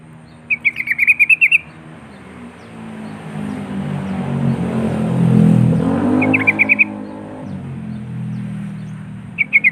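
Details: Sooty-headed bulbul luring rival birds, short bursts of rapid bright chirps repeated every few seconds while a passing vehicle roars loudly through the middle.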